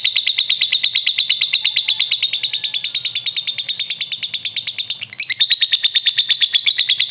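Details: Lovebird kept as a prospect bird responds to another lovebird in long ngekek style, a relentless, high, rattling chirp series about eight notes per second, with a short hitch after five seconds.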